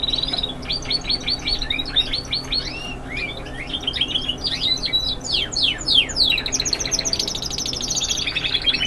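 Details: Spanish Timbrado canaries, young singers, performing the classic continuous style: a nonstop flow of sharp rising and falling chirps linked into fast rolling trills. It ends in a sustained high, buzzy rattle.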